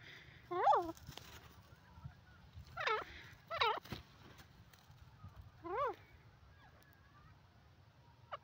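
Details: Desi teetar, a francolin, giving short hoarse curling calls in irregular bursts, some doubled, separated by pauses, over low background noise and occasional clicks.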